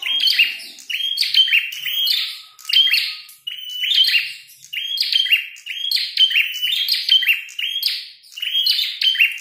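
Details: Loud fighting red-headed prinia: about eight bursts of rapid buzzy chirping notes, each phrase around a second long and separated by short silent dips, sustained throughout.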